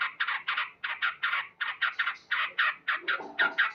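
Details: Morning song of a male sooty-headed bulbul, loud and lively in gacor style: a chain of short, rich, chattering "cuk" notes, about four per second, steady in pitch, with a brief rougher burst near the end.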